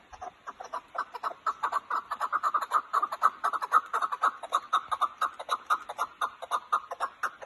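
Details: Chukar partridges from Kazakhstan give rapid, evenly spaced clucking notes, about two per second, in a dense rhythmic chorus that holds steady throughout.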